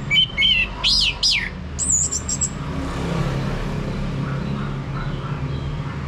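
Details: Lure song of an orange-headed thrush to prompt a male to sing, North Bali: a few loud whistled phrases with steep up-and-down sweeps and a high thin trill in the first seconds, then only low background rumble.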